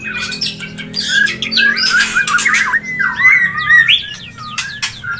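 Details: White-rumped shama mating sound for bringing a bird into breeding condition: harsh squawks and buzzy bursts mixed with looping slurred whistles, continuous and loud throughout.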